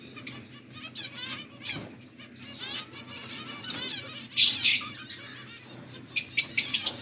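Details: Budgies chattering on August 14, 2024: rapid warbled chirps in short bursts, with bright buzzy squeaks near four seconds and a string of sharp high notes toward the end, over a faint low hum.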